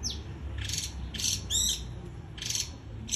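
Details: Japanese white-eye singing in the líu choè style: short, very high bursts of rapid twittering notes with sliding whistles, separated by brief pauses, over a low steady hum.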